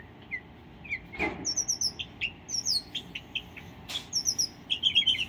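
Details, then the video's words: Northern mockingbird singing at a home in Delray Beach, Florida, on 7 September 2017, during the Irma storm: varied, high, sharp chirps and short whistled phrases in quick bursts, with two brief knocks or thumps. "Mocking Bird Singing"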